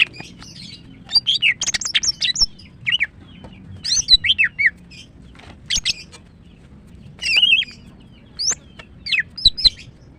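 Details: Female greater green leafbird, a caged songbird, singing in the morning: bursts of sharp high chirps, quick rising and falling whistles and short squeaky notes in clusters about every second, with pauses between phrases.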